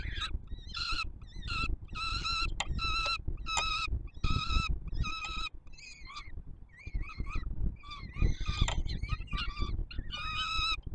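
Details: Feeding time for peregrine falcon chicks on the Palace of Culture and Science, Warsaw, 7 July 2022: a long series of strident, evenly spaced begging screams, some wavering and overlapping, over low steady noise.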